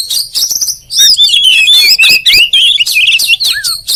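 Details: Kacer, the oriental magpie-robin, singing a fast chattering phrase of high trills and twisting whistles, notes tumbling quickly over a faint low background rumble.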